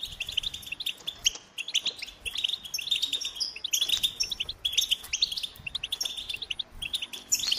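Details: Goldfinch singing in repeated bursts of high, twittering chirps and tinkling trills separated by short pauses, fairly soft overall.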